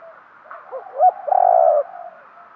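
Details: Decoy spotted dove calling to lure wild birds. A few faint, wavering notes build into two short accented coos and a final long, steady, hollow coo.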